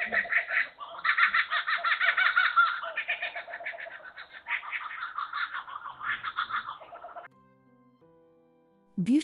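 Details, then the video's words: Several Laughing Kookaburras give their territorial call, a rollicking, hooting laughing chorus in rapid bursts, rising and falling for about seven seconds, then a quiet musical tone and a brief voice. "the territorial call is a distinctive laugh that is often delivered by several birds at the same time"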